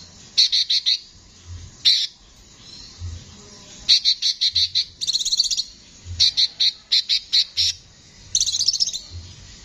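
A konin sings in harsh, buzzy bursts, three to six rapid rasping notes per phrase, with short pauses between phrases and no other sounds.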